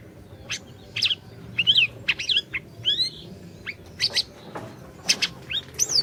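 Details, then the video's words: Lively song of an Orange-bellied leafbird, offered as a lure to start a silent leafbird singing. A rapid jumble of high sharp chips and quick upslurred and downslurred whistles, closely spaced in brisk bursts. "Masteran Burung Siri Siri Gacor, Cocok Buat Pancingan Burung Siri Siri Macet BUNYI"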